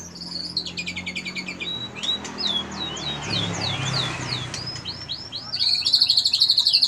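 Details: White-rumped shama, a kept bird, singing cililin and canary imitation material. Rapid series of sweeping whistled notes repeated several times a second, ending in a dense buzzy canary-like roll. A faint low hum runs underneath.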